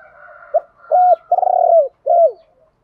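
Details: Spotted dove decoy call used to rouse wild birds while training doves: four low coos in under three seconds, a short note, a held note, a long throbbing coo, then a falling final coo, with a quiet background.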